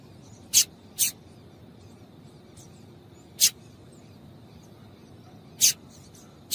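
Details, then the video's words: Female double-collared seedeater calling to get males singing: scattered thin, very high chips, a pair early on, then single notes several seconds apart, over low hum. "Piado de Fêmea de Coleiro para Esquentar Coleiro"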